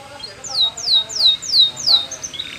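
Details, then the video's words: Canary training song in Spanish Timbrado style: five evenly spaced, bright, down-slurred whistles, roughly three per second, above a noisy murmuring background. "Many Canaries Sang Along After Listening To This Song"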